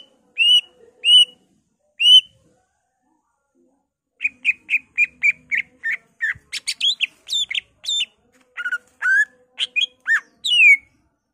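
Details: Greater green leafbird in full, vigorous song with borrowed phrases from magpie robin, laughingthrush, cililin, kapas tembak and canary. Three loud whistled notes, a silence, then a rapid run of repeated whistles breaking into varied chattering phrases.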